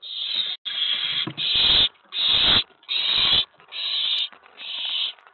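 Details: Excited owlet in a nest box late at night, 19 May 2017, after an owl arrives at the tray; loud, raspy hissing screeches about half a second long, seven in a row, separated by short gaps.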